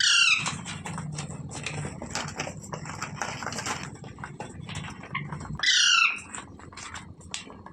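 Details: Parrot giving two loud, harsh squawks with stacked harmonics, one at the start and one near the six-second mark. Soft pattering and clicking fill the quiet stretch between them.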